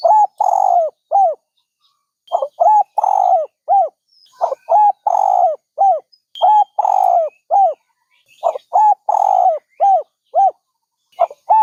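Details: Dove giving a steady run of short, arched, hollow coos broken by longer, rolling drawn notes, repeated in rhythmic bursts with brief pauses, with faint high chirps of other birds in the background.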